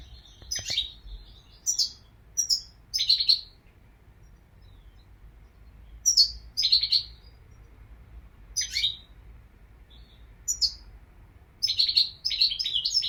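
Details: Goldfinch twittering in bright, high chirpy bursts, clustered phrases separated by pauses of a second or two, with the background otherwise quiet.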